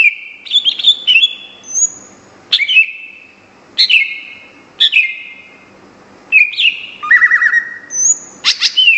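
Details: Cucak ijo, the greater green leafbird, singing prolifically in contest style: loud bursts of sharp descending whistles about every one to two seconds, some with trilled buzzy notes and thin high whistles.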